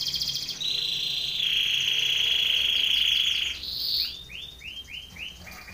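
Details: Belgian canary training song for competition, with a long steady rolled trill, a brief higher burst, then a short series of softer down-slurred whistled notes.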